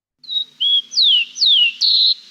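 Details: A rufous-collared sparrow in Chile sings during the breeding season, a short phrase of five clear, high whistles: two steady notes, two that slide downward, then a final trilled note.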